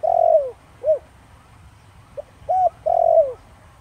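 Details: Spotted dove in 'Thổ Đồng' voice, used to make wild doves call back; a long falling coo and short note end one phrase, then a faint note, short coo and long sliding coo begin the next.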